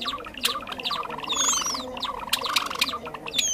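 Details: Java sparrow trapping lure: chattering chips and a run of rapid, softer notes, crossed by long gliding whistles, with several sharp clicks.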